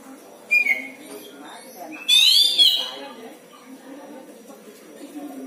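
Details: Caged oriental magpie-robin (kacer) kept at home as a hobby songbird, making a strange sound: a short clear whistle, then after a pause a loud warbled, wavering phrase, over quiet room noise.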